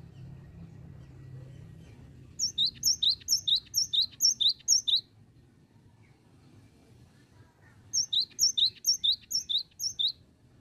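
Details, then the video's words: Cinereous tit, called gelatik batu, singing the 'bocor oworr oworr' song: a long burst of about eleven paired piercing whistles, high note then lower, a silent gap, then a second matching burst. "BURUNG GELATIK BATU BOCORR OWORR OWORR"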